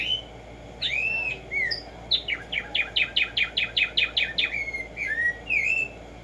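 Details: Black-striped sparrow song, known locally as Tumba Yegua: a few arched whistles, then a long even run of about a dozen sharp descending notes at roughly two per second, ending in slurred whistles.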